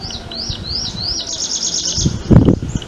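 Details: Prinia, known in Marathi as वटवट्या, gives four arched, up-sweeping notes followed by a rapid buzzy trill series, with a burst of low thudding noise near the end.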